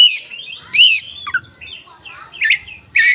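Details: Koci song, tail fanned open, meant as a lure for untrained koci that are lazy or mute; a run of varied chirps, warbles and sharp slurred whistles, loud notes spaced unevenly.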